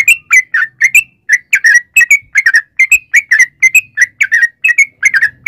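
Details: Sooty-headed bulbul with 'gacor' song used as a lure so other bulbuls sing: a continuous flow of bubbly, slurred whistles in short clusters, about three notes per second.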